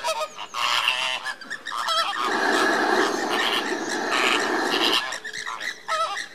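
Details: Andean flamingos in display on 29 April 2014: a crowded mix of honks and squealing notes, with a broad rushing roar of many birds in the middle seconds.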